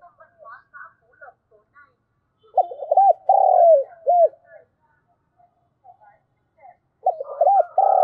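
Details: In the morning a decoy spotted dove coos to attract wild doves. Soft high chirps come first, then one complete hoarse phrase of paired notes, a long falling coo and a brief end note, and another phrase begins.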